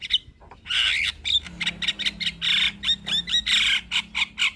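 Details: Javan myna in full chattering song, used as a master recording for training other birds: dense harsh chatter of rapid broadband notes mixed with bright whistled slurs, loud and almost continuous after a brief quiet start.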